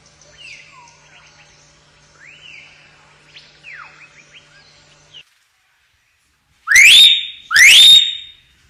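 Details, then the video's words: Common hill myna (Nhồng, Yểng) singing naturally: several seconds of soft, scattered swooping chirps with a low steady hum, then silence, then two loud rising whistles with bright overtones, close together. "Tiếng chim Nhồng(chim Yểng) hót tự nhiên"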